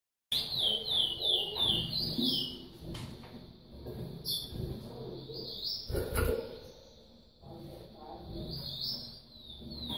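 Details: Yellow-bellied Seedeater chick begging while a female feeds it, kept in domestic breeding; rapid, shrill upward-sweeping chirps repeated several times a second in bursts, with knocks and rustling in the cage.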